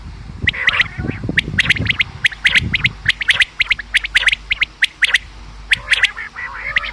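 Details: Calls of common quail, recorded as a hunting lure: a busy run of sharp, clipped notes grouped in quick triplets, repeated almost continuously, with some low rumbling noise early on.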